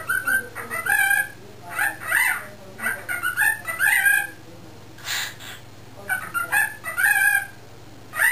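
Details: Young male pet cockatiel, under a year old, caged indoors while owners work in the driveway, practising talking; wavering, speech-like warbled phrases rising and falling, repeated in short bursts about every second, with a soft hiss between.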